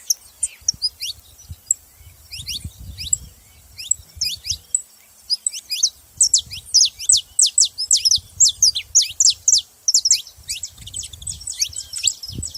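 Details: Saffron finches calling with bright, high chirps and short descending notes in loose bursts, densest in the second half. Faint low rumbling sounds underneath at times.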